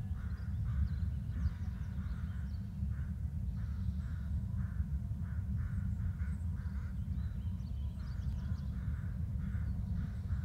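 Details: Two adult bald eagles call back and forth at the nest. Bursts of rough, repeated notes fill much of the stretch, with a short lull before a final cluster, all over heavy low droning noise.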